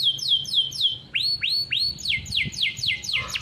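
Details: Captive-bred domestic canary from a bird farm, rolling song used as a model for training young canaries: series of downward-sweeping whistled notes, then rising upswept slurs and fast repeated chirps, high and bright.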